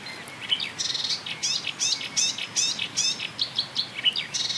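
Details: Marsh warbler in song at a railway embankment, Bernau-Friedenstal, May 2013, mimicking other birds such as tit, blackbird, lark, goldfinch and starling; high, scratchy, varied notes in quick succession with brief clear whistles mixed in.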